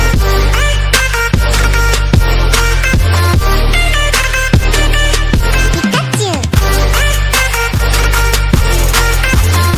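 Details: Loud electronic music with a steady beat, deep bass and a falling synth sweep near the middle, with no animal voice audible.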